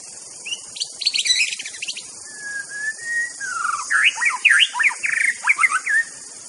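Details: Wild white-rumped shama singing a varied, rich whistled phrase: a long level note, then quick rising and falling warbles and slurred trills, over a constant high insect buzz.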